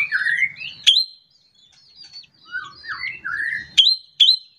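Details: Ashy drongo (srigunting kantil) morning song used to get other birds singing: rising whistled slurs separated by pauses, with loud sharp click notes at the start and twice near the end.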